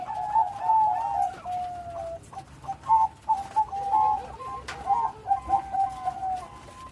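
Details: Zebra dove of the Bangkok type, singing actively with a big voice and complete rhythm; a drawn-out trilled coo slides downward, then short pulsing coo phrases repeat in quick bursts with a few clicks.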